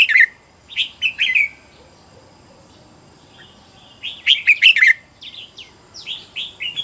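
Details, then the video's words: Decoy red-whiskered bulbul trained at home to lure wild birds: a few bright warbled phrases, a long pause, then a rapid cluster of loud chirps followed by softer downslurred notes. "Chào mào mồi gọi bổi"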